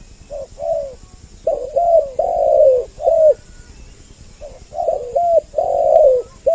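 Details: Lure audio of spotted doves with a doubled voice, for attracting males and females: two bursts of gentle low coos, short notes leading into longer wavering ones, separated by a quiet stretch.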